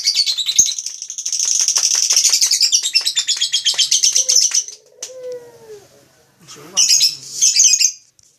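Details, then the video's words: Lovebird delivering an extended fast trill of shrill pulsed notes for about four seconds, followed by a quieter gap with a soft lower whistle and then a final harsh chattering burst. "Suara burung lovebrid"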